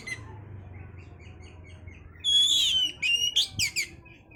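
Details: Oriental magpie-robin song for raising breeding condition. Faint soft notes at first, then a sudden loud buzzy burst, a bright whistle and a few rapid sharp chirps, over a low background hum.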